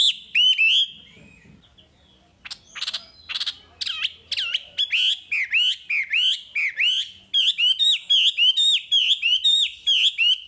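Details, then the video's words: Wambi song from a masteran recording, opening with a few sharp slurred notes, then scratchy bursts, then a steady series of hooked, whistled chirps repeated close to twice a second. "Masteran Wambi paling istimewa full materi"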